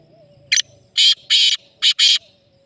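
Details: Black francolin calling: a loud, harsh grating phrase of five rasping notes, a short one, two long, then two more in quick succession, over faint low background sound.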